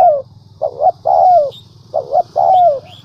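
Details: Lure call of a spotted dove meant to make wild doves coo: a short doubled note followed by a long, smoothly falling coo, heard twice, over a constant low hum, with faint high chirps.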